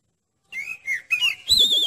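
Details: Oriental magpie-robin song, used to test the nerve of another magpie-robin: four short whistled notes, the last a higher wavering whistle, with no other sounds.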